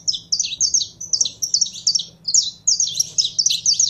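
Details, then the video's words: Saffron finch in a cage, warming up: quick chains of bright, high chirps run in short bursts of four or five notes, with a faint low hum beneath. "Canário da Terra Esquentando em 3 2 1!!!"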